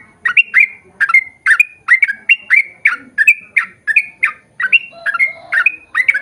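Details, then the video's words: Yellow-vented bulbul delivering a quick ropel song to prompt others of its kind to reply; a steady series of sharp chirps, several doubled, with soft lower notes behind. "KICAU SUARA trucukan gacor ROPEL PANJANG pancingan trucukan agar bunyi MENJADIKAN trucuk gacor NYAUT"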